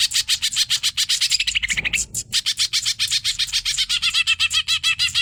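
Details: Energetic 'hyper' song of a greater green leafbird (cucak ijo) as a training master: quick, high, chattering notes about four per second, a brief rising run and short break near the middle, then a continued rapid series of upslurred chirps.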